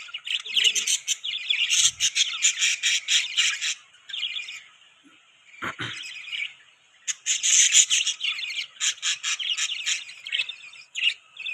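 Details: Loud flock chatter from pet budgerigars: dense, buzzy, scratchy chirps pour out nonstop, briefly thin out, then surge back as a crowded chorus.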